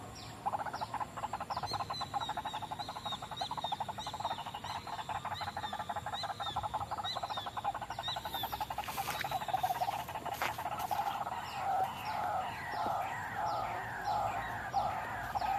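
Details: White-breasted waterhen call used as a trapping lure: a dense, steady run of rapid low croaking pulses, with faint thin whistles and chirps from other birds above.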